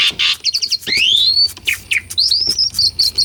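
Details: Lure song of an Asian pied starling for birds that have gone quiet: rapid buzzy notes give way to a long rising whistle, a few sharp slurs, then a quickly repeated ringing note.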